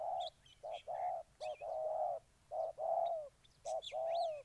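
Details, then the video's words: Low, soft cooing of a spotted dove from Ninh Thuận, short notes paired with longer slurred ones, broken by short silences, with faint high thin whistles from other birds behind. "Cu gáy Ninh Thuận"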